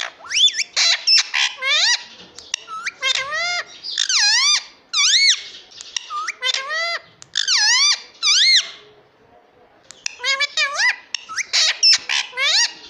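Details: Indian ringneck parakeet talking, repeating "mummy" and "papa": bursts of squeaky, bending syllables come in quick clusters over about thirteen seconds, with brief pauses between groups, indoors.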